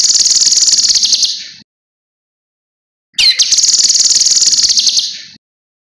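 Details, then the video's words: Training recording of a cucak kinoi. One trilled phrase ends, then after a silent pause of about a second and a half a new phrase opens with a sharp descending sweep and becomes a fast, pulsing, buzzy rattle. "Masteran Burung Kinoi Jernih Gacor Paling Ampuh"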